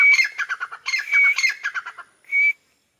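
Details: Perched on a wall in Pakistan, a grey francolin (white teetar) delivers rapid, harsh, pulsed phrases around sustained high whistled tones, ending with one drawn-out whistle.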